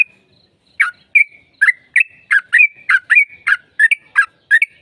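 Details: Sooty-headed bulbul singing vigorously, used to prompt an answer from another bird: about twelve quick, chirpy, bubbly notes in a steady but slightly uneven run lasting four seconds.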